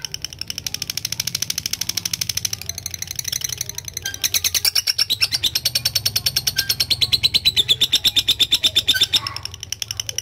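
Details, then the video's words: A lovebird chatters through its long 'ngekek' song: a quieter rapid trill that swells louder partway, its high pulses gradually lowering before stopping, over a constant low hum. "LOVE BIRD GACOR NGEKEK PANJANG"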